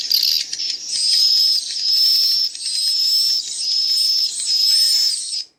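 Swiftlet chicks give dense, high, thin chirps and whistles in a steady run of loud and soft notes, with faint adult twittering mixed in.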